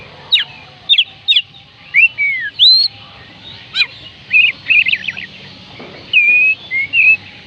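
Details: Oriental magpie-robin singing, a recording meant to get lazy birds to sing: sharp whistled notes, slurred rising and falling phrases, a short trilled stretch, then long level whistles near the end.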